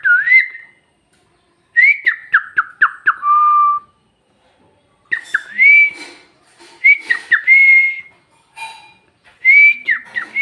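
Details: Pet parrot known for Bhojpuri talk gives repeated bursts of clear whistles, one run of rapid stepwise descending notes, others rising then holding level, separated by brief silences.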